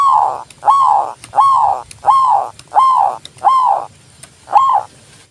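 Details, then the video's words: Zebra dove (perkutut) sounds from a recording used to stimulate reluctant doves and to lure birds: seven rounded, slightly falling coos, one every two-thirds of a second, over a faint low hum. "TERAPI PERKUTUT MOGOK BUNYI PALING TOP"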